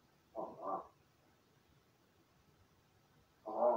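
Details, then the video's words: Indoor pet crow rehearsing calls after playing by itself; a quick double croak, then a pause of nearly three seconds before another harsh, loud note begins. "一人遊びの後 鳴き声と喋る練習"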